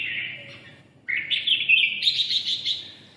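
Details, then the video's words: Red-whiskered bulbul, red-eyelid (mí đỏ) form, delivering ché-style song: a fading whistled note, a short gap, then a loud, rapid, rising, buzzy warble that slowly trails off. "mí đỏ siêu ché"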